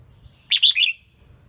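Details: Selected female red-whiskered bulbul singing to rouse competition males; one brisk phrase of three clear, slightly slurred notes, the last dipping lower, over quiet low background hum.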